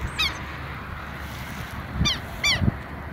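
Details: Near their nest a pair of Southern lapwings calls insistently: three strident, harmonic calls, one at the start and two close together near the end. Low thumps and background rumble accompany the later calls.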